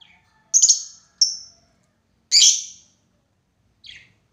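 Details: Lovebird calling a rival, used as a lure for long 'ngekek' chattering; three piercing, rasping squawks at uneven intervals, followed by a brief softer note.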